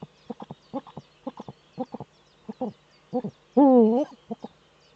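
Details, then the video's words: Male Eurasian eagle-owl courting in the nesting niche, captured by a nest webcam in northern Rhineland-Palatinate, Germany, on 4 May 2013. Quick pairs and triplets of low staccato hoots build to one loud, wavering, drawn-out call. "Das Uhu-Männchen balzt in der Brutnische"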